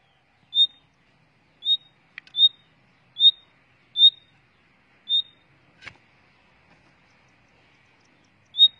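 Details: Caged breeding common nightingale giving a short, high, pure whistled note again and again, roughly once a second, with a few soft clicks and taps between.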